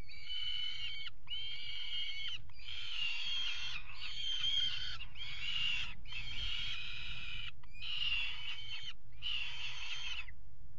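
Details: Nest-box camera at a water tower in Axel, Netherlands, 5 February 2018, peregrine falcon pair mating on the ledge: loud rasping wailed notes, roughly eight in sequence separated by brief pauses, with steady low background rumble.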